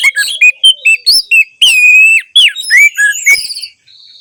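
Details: Song of an orange-headed thrush, meant to prompt silent thrushes to sing. Loud clipped whistles in quick succession lead into a long, steady whistled note, then rising slurred phrases and a short, faint tail.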